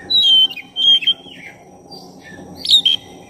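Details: Lure song of a black-breasted oriental magpie-robin singing energetically to provoke rivals: clear sustained whistles, a pair of bright notes, then a burst of quick whistled chirps, with soft low hum beneath.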